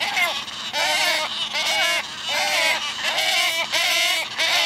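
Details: Hungry wood stork chicks in a group crying for their mother to feed them. Nasal, wavering bleats overlap in a dense chorus, pulsing in roughly regular surges more than once a second.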